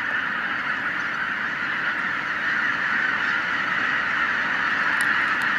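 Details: A huge flock of wild geese, tens of thousands strong, put up by a white-tailed eagle. Their calls merge into a steady, loud wall of honking with no single voice standing out.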